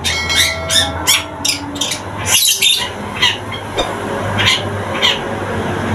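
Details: Local long-tailed shrike just beginning to sing, a chattering song suited for luring other birds: harsh squawky notes and buzzy bursts come in quick, irregular runs over a steady low hum.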